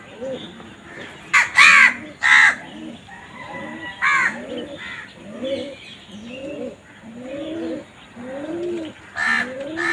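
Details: Harsh crow caws burst out in a quick pair, then singly later on, over a continuous chorus of low, arching coos.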